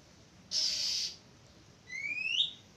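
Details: Oriental magpie-robin recorded 11 April 2023 gives a harsh, hissing half-second note, then a pause and a clear whistle that rises sharply, against a quiet background.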